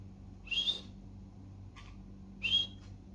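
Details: Tame budgie making two brief, rising whistled chirps two seconds apart, with a faint softer note between them over a low steady indoor hum.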